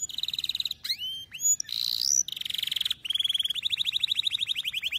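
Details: Canary song used to tutor young canaries: loud high trills of rapid repeated notes, a few rising whistled slurs, then a long even rattle of clipped notes near the end.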